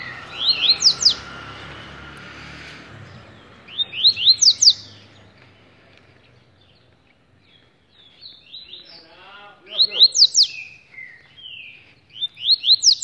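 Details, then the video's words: Caged rusty-collared seedeater held in the hand, singing short bursts of rising, slurred whistles repeated several times, with a low murmur and background noise between phrases. "Coleiro Cantando de gaiola na mão"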